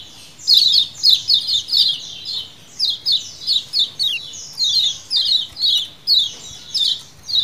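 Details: Lemon-bellied white-eye flock calling in a wild-style colony chorus used as a lure: dense, high, sharp chirps and short descending notes overlapping in quick bursts about twice a second, with no other clear sounds.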